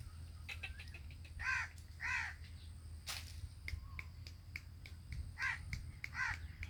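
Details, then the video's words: Sindhi black francolin (kala tetar) calling: hoarse, grating notes paired about half a second apart, one pair early and another near the end, over scattered clicks and a steady low hum. "Sindhi Kala Tetar enjoying and singing"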